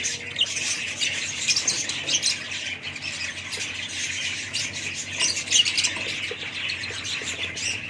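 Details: Several budgerigars keep up a continuous jumble of chirrups and harsh squawks, the chorus swelling louder around the fifth and sixth seconds before settling back to steady chatter.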